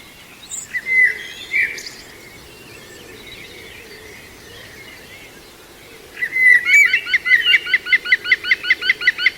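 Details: Young female green woodpecker at Walthamstow Waterworks Nature Reserve, London, UK, on 5 September 2022; a couple of early chirps, a lull, then a long quick rattle of repeated ringing notes, about fifteen in a row.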